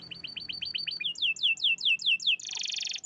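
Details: Champion canary singing: a quick trill of short repeated notes, then a run of about seven high whistled notes sweeping downward in steady succession, closing with a dense buzzy rattle.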